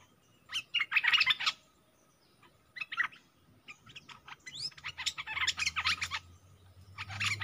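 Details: Streak-eared bulbul kept as a decoy in a cage, luring wild birds that keep flying around it: bursts of rapid, scratchy chirping notes, a pause, then a long chattering run of quick calls.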